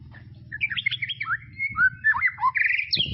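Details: White-rumped shama of tropical forest delivering a rich, varied song of quick rising and falling whistles, slurred glides and bright trills, over a faint low steady hum.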